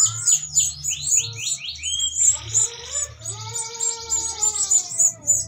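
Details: Breeding canary, said to be mating while feeding its chicks, a lure for pairing birds: quick high descending sweeps and chattering trills, then a buzzy rolling phrase, with steady lower whistled tones and rising slurs underneath.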